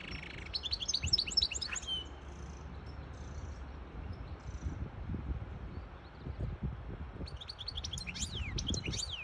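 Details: Short twittering phrases from a hybrid European goldfinch, singing to tutor chicks and stimulate a female to mate: high chirps at the start and again near the end, with a quieter low rumble between.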